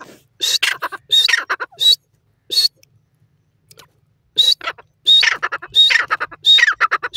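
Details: Grey francolin calling in a forest during the first days: loud bursts of harsh, high notes mixed with clear whistled elements, given in rapid series, with a silent gap of about two seconds before the calling resumes more intensely.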